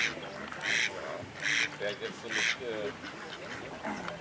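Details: Fighting mallards at Walsrode, Germany, on 11 September 2011: three harsh, raspy quacks nearly a second apart with softer, lower nasal notes between; a human voice may also be present.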